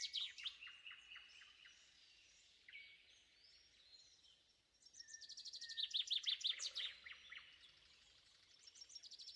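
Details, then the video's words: Morning shrike calls at sunrise in woodland at Spivaki, springtime, with a nightingale and a crowded bird chorus; a loud burst of fast, sharp, high-pitched chattering notes around the middle, flanked by softer whistles and faint wind. "Shrike morning calls with nightingale and multiple birds in the background"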